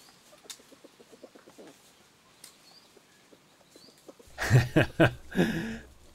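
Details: A Red Junglefowl (Gallus gallus) hen with two chicks at a forest hide clearing near Kaeng Krachan National Park, Thailand, on 18 February 2021, gives soft, low clucks about twice a second, followed by a few loud, harsh, flapping or scuffling bursts.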